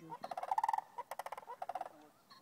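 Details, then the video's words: Sandhill cranes calling between groups in an Albuquerque field near the Rio Grande, New Mexico, autumn 2012; rapid pulsed rolling rattles, several birds overlapping in a dense chorus of trilled notes. "Sandhill Cranes Calling"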